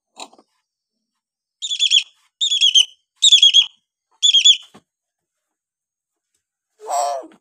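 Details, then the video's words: Hill myna calls used to prompt quiet or young birds to answer: four loud, metallic double-banded notes about one per second, then silence and a lower harsh note near the end. "masteran beo josss buat pancingan beo malas bunyi"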